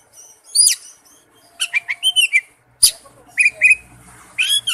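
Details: Oriental magpie-robin singing in wild-type style: scattered whistled and buzzy phrases between about 2 and 10k, separated by short pauses, with a faint low rumble in the background.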